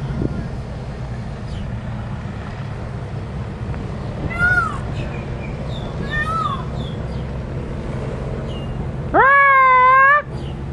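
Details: Peacock calling: a few thin rising and falling wails in the first half, then a loud, rich, drawn-out nasal cry of about a second near the end, over a steady low rumble of background noise.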